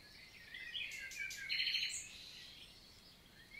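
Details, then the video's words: Wild common nightingale singing on a summer morning, 11 June 2023, in countryside forest of La Vallée du Célé, Lot, southern France; high varied notes, then a fast buzzy trill of repeated notes, with faint background hiss. "NIGHTINGALE MORNING SONG"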